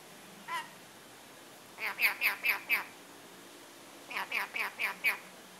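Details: A happy pet male red-collared lorikeet chatters in high, voice-like syllables, one short note then two quick bursts of about five syllables each, repeating the Farsi word 'Bea' ('come over here') and a person's name.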